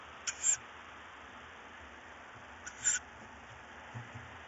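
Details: Tawny owl chicks fighting over prey, one with a bird, at night on 4 May 2018 near 22:15; two loud, breathy hissing screeches roughly two and a half seconds apart, otherwise quiet apart from faint low hum.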